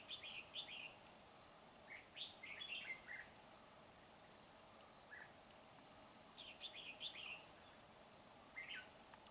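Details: Red-whiskered bulbul used as a trapping decoy on 19 January 2021, singing to draw wild birds in to fight. Quick clusters of sharp, downward-slurred chirps come in scattered bursts with pauses between them, faint against a constant background hum.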